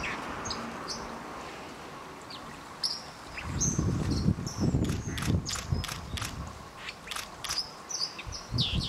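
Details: White-throated Dippers in a territorial fight on the Thin river at Warby, France, give sharp, high, scratchy zit notes at an uneven pace, over a low rumble of running water with bursts of splashing.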